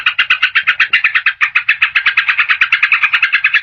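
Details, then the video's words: Yellow-vented bulbul sound used as a lure to trap wild birds and to stir quiet caged birds into singing: a fast, even run of short buzzy notes, roughly twenty in each second-and-a-half, steady throughout. "SUARA PIKAT BURUNG TRUCUKAN PALING DI CARI || BISA JUGA BUAT PANCINGAN TRUKAN MALAS BUNYI"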